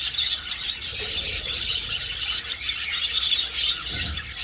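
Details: Many budgies flying through an old aviary, giving a steady wash of high, scratchy twittering and short chirps with no pauses.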